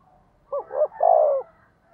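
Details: Caged spotted dove used as a decoy, delivering 'thúc gù' cooing to provoke wild doves: one low, hollow phrase with two short notes followed by a sustained, slightly wavering coo, against quiet background.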